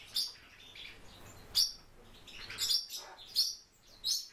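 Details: A kept warbling white-eye gives thin, high, sweet chirps and short twittering phrases, about five bursts in four seconds, over a faint low hum.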